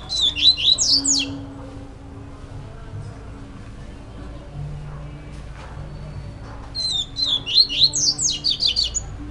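A young double-collared seedeater gives two bursts of thin, high, rapid chirps, several notes a second, over a low steady indoor hum.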